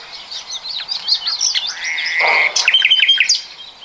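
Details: Common nightingale singing in 2020: a sustained whistled note with a rising swell, then a quick rattle of sharp repeated notes, amid a steady chatter of other birds.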